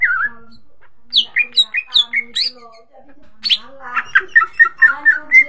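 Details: A greater green leafbird lure song to spark singing in other birds: clear rising-and-falling whistles in a quick run, a short pause, then a rapid chattering series of bright notes repeated about five per second.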